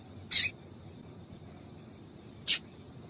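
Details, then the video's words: Female yellow-bellied seedeater call used to rouse singing males: a fuller, slightly drawn-out high chirp, then about two seconds later a single short sharp tick. "MELHOR PIADO DE FÊMEA DE PAPA CAPIM COM PIADO DE FÊMEA DE PAPA CAPIM PARA ESQUENTAR SEU PAPACAPIM !"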